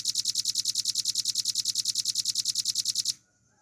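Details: Velvet-fronted nuthatch in full rapid song, used as a master for training cage songbirds: a steady, loud trill of about ten clear high notes a second, running three seconds before stopping into quiet.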